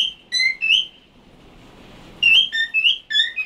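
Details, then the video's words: Pet cockatiel saying the Hebrew word for parrot ("tuki") in squeaky, whistled syllables, two short bursts of rising and falling notes with a quiet pause between. "תוכי קוקטייל מדבר"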